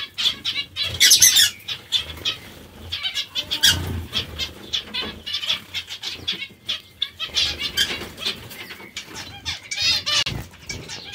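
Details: Zebra finches eating vegetables keep up a steady stream of brief, tinny, nasal beeps with occasional louder bursts. Scattered wingbeats and light rustling fill the background.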